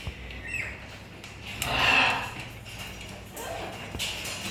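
A macaw gives one loud, harsh, raspy squawk lasting about a second, then a shorter rough note near the end, over quiet room noise.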